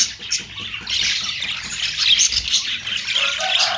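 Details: Budgerigar, called Australian parrot, twittering in a steady high chatter with scattered sharp chirps, plus a faint low repeated tone underneath.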